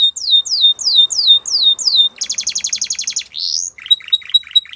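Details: Belgian canary singing: a run of falling whistled slurs repeated about three per second, then a fast buzzy trill, a rising sweep and short clipped notes.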